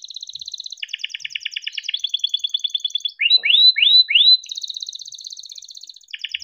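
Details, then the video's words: Domestic canary in captivity in Indonesia sings to prompt other canaries into song: fast chattering trills switching pitch in steps, four loud rising swept whistles in quick succession, then the rapid pulsed trilling resumes. "Kenari gacor cuit cuit ngerol untuk pancingan kenari biar gacor"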